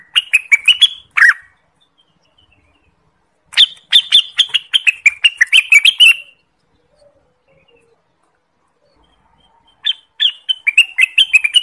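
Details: Orange-spotted bulbul song for trapping lures and training birds: rapid phrases of bright, warbling chirps wavering up and down, separated by several seconds of silence.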